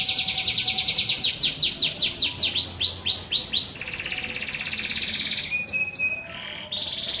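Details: Training song for teaching pet canaries to sing and roll: loud high notes swooping downward about two or three per second, then a buzzy fast trill and a few flat whistled tones at changing pitches.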